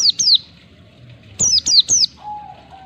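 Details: Ngalas-style song of an oriental white-eye, used to encourage caged birds to sing: two quick high falling chirps, a pause, then three more in rapid succession, followed by a soft steady lower whistle.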